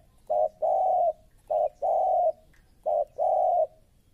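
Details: A spotted dove, described as a new, aggressive decoy bird being trained, gives low, mellow coos in a short-then-long pattern, three phrases over four seconds; otherwise quiet.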